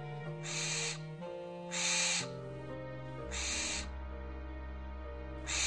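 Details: Barn owl at night giving harsh, breathy hissing screeches that evoke an old man's laboured breathing, each about half a second long, repeated roughly every one and a half seconds over soft background music.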